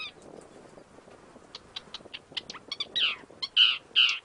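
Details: An Isabelline shrike in Iran gives harsh, grating chack notes, sparse at first then louder and quicker, ending in three rasping bursts about half a second apart.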